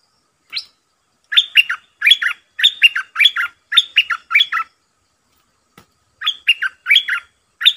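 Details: A Red-eyed bulbul decoy bird sings at wild birds: quick bubbly, slurred phrases in rapid bursts of paired notes, a short pause, then the same phrases again.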